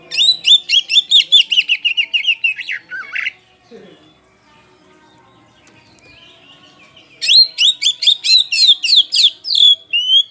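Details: Oriental magpie-robin lure song meant to trigger singing in other birds: loud, rapid bursts of sharp, rising whistled notes repeated in quick series, a pause of a few seconds with faint low murmuring, then another fast burst of whistles.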